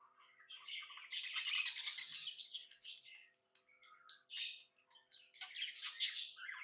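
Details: Happy budgie singing indoors: a swelling mass of harsh, scratchy warbling, then clipped squeaks and chirps before another loud raspy burst.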